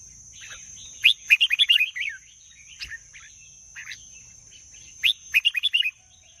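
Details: Red-whiskered bulbul singing: two bursts of quick, bubbly whistled phrases around one and five seconds, each a rapid run of five or six warbled notes, with softer fragments between and a steady high electronic whine behind.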